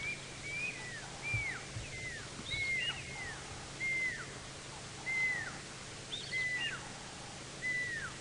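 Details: Pearl-spotted owlet calling on a sunrise drive at 8 AM on July 28, 2017, Djuma Game Reserve, Sabi Sand, Kruger, South Africa: clear, high whistled notes slurring downward, roughly one per second, with faint lower chatter beneath.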